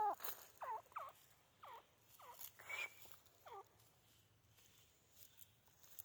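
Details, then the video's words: Captive white-coloured francolin, a home-bred pair in Pakistan, female's voice: a series of about seven short looping, hooked notes in an irregular rhythm over four seconds, then quiet with faint background hiss. "teetar female voice"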